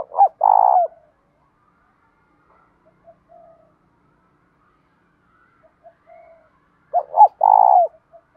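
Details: Spotted dove in a loud, clear 'thổ' style voice, fighting-urge and calling coos: two phrases, each two short rising notes then a long, buzzy, level coo, opening and closing the stretch, with faint soft notes between.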